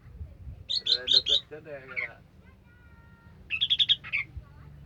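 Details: Orange-headed thrush song, sung 'sampai teler': a harsh stuttering run of four rich notes, a rasping phrase, a quiet gap, then another quick series of bright repeated notes and a falling slur.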